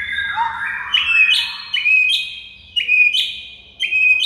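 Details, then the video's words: White-rumped shama singing on a master training recording: an opening falling warble, then four ringing whistled phrases, each a level whistle topped by a sharp high note, spaced about one second apart. "MASTERAN MURAI BATU"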